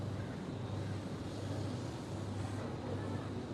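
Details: Low rumbling hum and dense indoor noise fill the recording, with no parrot or other animal voice standing out.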